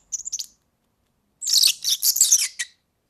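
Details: European serin, recorded for tutoring young birds, giving a short run of high chirps, then after a gap a dense, sizzling jingle of rapid notes lasting over a second.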